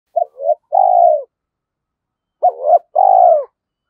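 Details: Caged decoy spotted dove, trained daily, cooing and challenging wild males to fight: two repeated phrases, each a short hollow note, a rising second note, then a long burry descending coo. The background is silent.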